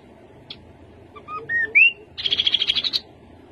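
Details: Soft separate whistles climbing to a sharp rising note introduce a rapid, steady trill of a dozen high chirps from a rufous-capped babbler, with a faint hum beneath.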